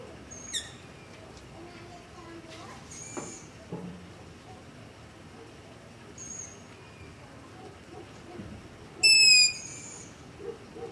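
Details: Night recording near a house of long-eared owl begging, made with a ZOOM H5 and LOM Usi Pro: several faint high squeaks and small clicks, then one loud, shrill, squeaky screech near the end.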